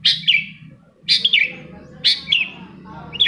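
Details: Long-tailed shrike song used to encourage other shrikes to sing: harsh, scratchy chattering notes in short bursts about once a second, each with a quick falling tail.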